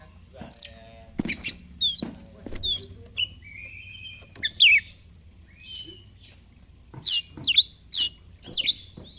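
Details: Oriental magpie-robin (kacer) singing persistently in 'gacor fighter' style while displaying (ngobra), used as therapy for birds reluctant to sing: loud, varied whistled phrases, rising and falling sweeps and a buzzy run, delivered in bursts with brief pauses.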